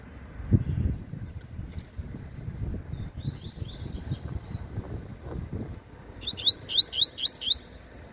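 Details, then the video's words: Double-collared Seedeater kept in captivity singing 'meio canto' half song: a faint slurred twitter midway, then a bright run of five fast upswept whistles near the end over low rumbling noise. "Coleiro Papa-Capim Revelação Meio Canto Cantando Muito"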